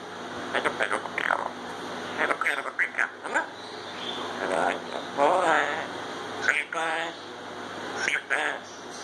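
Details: Pet grey parrot talking indoors, mimicking the phrase "Ya Allah" and other words: a run of short speech-like syllables with clear voiced tones, bursts spaced irregularly over several seconds, quiet room background.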